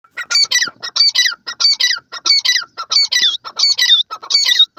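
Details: Pair of grey francolins calling: loud, harsh, squawky phrases with a strained, rising-and-falling ring, repeated about every half second in a steady series of roughly nine phrases, brief gaps between them.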